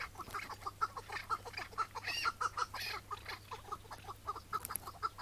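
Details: Morning calling of a Chukar partridge in May 2017, recorded during its capture before release at the same spot. A rapid series of clucking chuck notes, briefly broken by a harsher, higher burst midway, then the chucking resumes.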